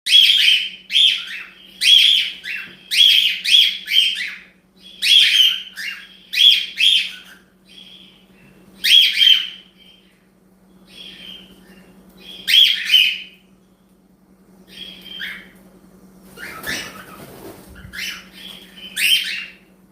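A cockatiel gives bright, slightly buzzy chirps in quick bursts over a low steady hum.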